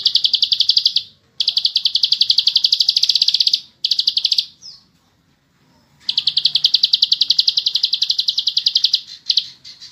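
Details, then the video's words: Fast, dense 'ngebren' trilling from a bar-winged prinia (ciblek sawah): long runs of sharp high clicks, a near two-second silence midway, then a sustained trill of about three seconds. "Masteran burung Ciblek Sawah/klik Ngebren Panjang Speed rapat"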